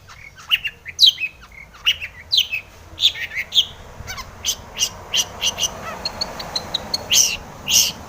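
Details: Long-tailed shrike singing as a lure to make other shrikes respond: a varied chain of sharp chirps and clipped whistles, later quick high ticks, then louder harsh notes near the end.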